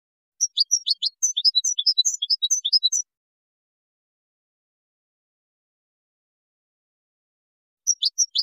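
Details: Moroccan goldfinch singing a Widani-style song composition, recorded in 2019: three seconds of bright, high twittering chirps in quick succession, a long silence, then the rapid twitter resumes briefly.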